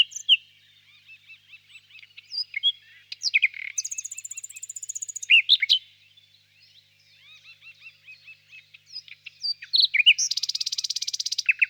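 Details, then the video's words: Extended nightingale song: varied twitters and whistles interrupted by two long, very high, dense trilling rattles, with loud sweeping notes between them. "пение соловья"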